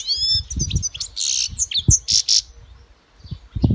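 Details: European goldfinch singing: a rapid jumble of high tinkling twitters and slurred notes with two harsh buzzy bursts, a brief pause, then more chips, over repeated low thumping knocks.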